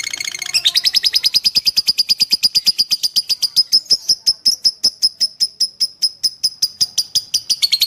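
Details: Lovebird fighter-type singing used as a masteran training recording to shape young lovebirds' fighter character: a long, steady run of sharp, high chirps, about five per second, holding one pitch throughout, with no other sounds.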